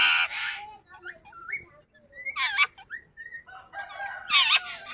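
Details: Pet yellow rose-ringed parakeet speaking words: a loud raspy squawk opens, then quiet wavering tonal syllables, another harsh burst near the middle, and a closing cluster of gravelly, speech-like notes.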